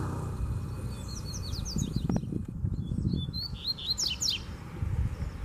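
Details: Wild free Double-collared seedeater in a singing duel with a caged bird, giving clusters of high, sharp whistled notes and descending slurs, a brief pause, then a fast burst near the end, over low background noise.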